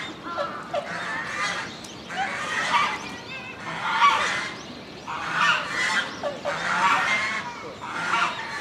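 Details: Swan goose calling in a Japanese zoo enclosure in October 2018: repeated coarse, trumpeting honks, some doubled, coming at an uneven pace over a faint background hum.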